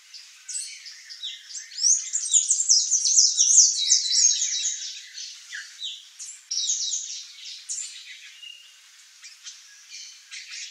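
Palm tanager song: a hurried, high-pitched jumble of squeaky, sibilant chirps and twitters, delivered in rapid bursts that swell and fade.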